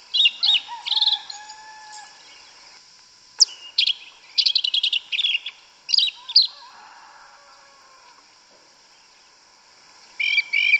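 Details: Sabiá una, the yellow-legged thrush, singing its forest-style canto mateiro in Brazilian woodland: several bursts of high chattering and squeaky notes separated by pauses, a long silent gap, then the phrases resume near the end.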